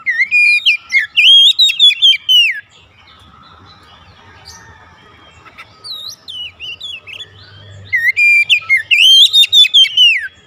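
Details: Home-kept Oriental magpie-robin singing gacor in daily therapy, opening with a fast sequence of strong slurred whistles, then a stretch of soft background noise and scattered chirps before resuming with vigorous repeated whistled phrases.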